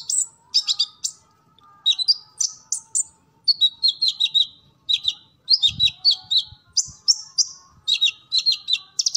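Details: Sunbird kept in captivity singing a full repertoire for training other birds: clusters of sharp high chips and short descending slurs, delivered in quick bursts separated by brief pauses.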